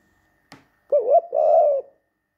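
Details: Pet male spotted dove indoors in spring, cooing to court its human owner: a soft, low, wavering two-part coo, the first note undulating and the second longer and steady, preceded by a brief click.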